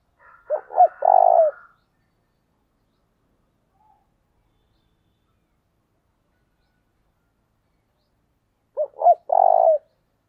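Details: Decoy spotted dove giving a calling coo in the local thổ đồng voice style: two phrases about eight seconds apart, each of short hooting notes followed by a long, purring, trilled note, with silence between.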